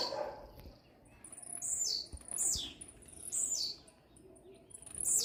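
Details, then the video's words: Blue-black grassquit singing very fast to another bird: high, sharp buzzy notes that slur downward, each repeated about once a second, with a faint background hiss. "TIZIU MUITO RÁPIDO CANTANDO PRA OUTRO"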